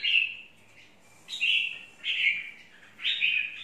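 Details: Red-whiskered bulbul, an untrained wild-type bird, singing four short warbled phrases about once a second, each bright and slightly falling, with quiet gaps between them.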